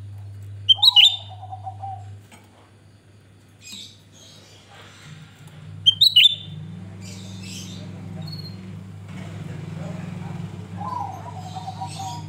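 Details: Lure recording of a singing grey-bellied bulbul: two loud, sharp, hooked high whistles about five seconds apart, with a lower wavering note and scattered soft chips over a low hum.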